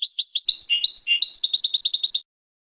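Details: European goldfinch song played for training birds to sing: quick tinkling twitter of varied high chirps, a couple of lower slurred notes, then a rapid even trill before stopping abruptly into silence.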